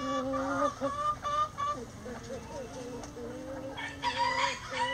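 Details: Chicken flock before dawn, coming out of the coop: overlapping wavering clucks and long murmuring calls, with a short rough crow rising out of the chatter toward the end.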